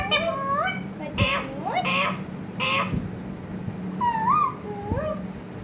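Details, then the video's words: Parrot speaking in loud, harsh, word-like bursts mixed with rising and falling whistled syllables, about one utterance per second, a soft knock or two and steady low hum in the background. "Pyaari baate karne wala tota"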